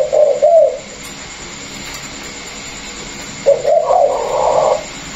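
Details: Caged Vietnamese spotted dove from a pair, one a former decoy bird, the other newly wild-caught; a short cooing phrase opens, a pause follows, then a longer, fuller run of coos, with a faint steady hum behind.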